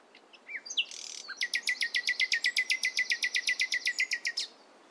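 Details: In the morning a nightingale sings a few short whistles, then a long, regular series of about twenty sharp, loud clicking notes repeated roughly four times a second.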